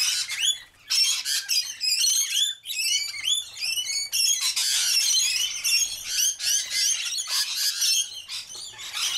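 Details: Noisy rainbow lorikeets feeding on sunflower seeds in Sydney; a dense flock chorus of harsh screeches and shrill chattering squawks, overlapping continuously with brief gaps, the birds calling over one another throughout.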